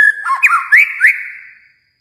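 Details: White-rumped shama from Kalimantan uttering a short phrase of slurred, upward-swooping whistles that fades into silence.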